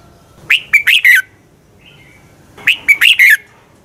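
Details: Morning fighting song of a red-whiskered bulbul, played to push birds to sing hard. Two matching phrases of four quick, loud whistled notes come about two seconds apart, with a faint whistle between them.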